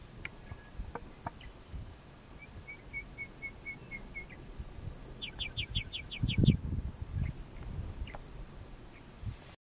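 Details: A Lark Bunting sings on June 3, 2014, in a community pasture southwest of Milestone, Saskatchewan, recorded from inside a vehicle: clear repeated notes, then buzzy trills and a high rattling phrase over low wind rumble, with a Western Meadowlark's low note also present.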